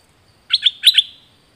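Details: Song of a dok taeng bird, used for training and luring birds: two pairs of bright, high chirps, each note sweeping down steeply, closing on a short fading trail.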